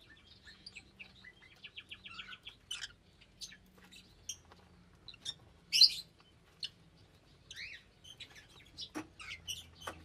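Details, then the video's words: Shrill lovebird calls: a quick run of short repeated chirps, then louder rising squeaks and single piercing notes spaced irregularly, with a faint low hum in the background. "Love Birds Nature Sound"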